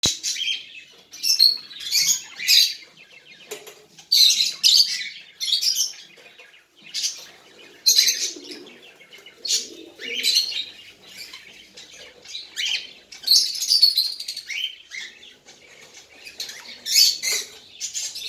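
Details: A tame baby cockatiel gives rapid, harsh, high-pitched chirps and squawks in irregular bursts.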